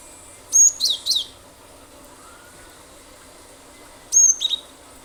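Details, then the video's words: Cinereous tit sings to lure other birds into song: a loud burst of high whistled notes sliding downward, then a shorter second phrase after about three seconds, with a faint low background hum. "pancingan ampuh glatik batu gacor nembak nembak pasti burung lain ikut bunyi"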